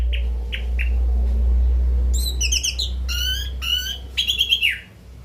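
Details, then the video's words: Orange-headed thrush after bathing at night: three short rising whistles, then rich harmonic chirps and a downslurred squeal in quick succession, over a steady low electrical hum. "anis merah habis mandi malam"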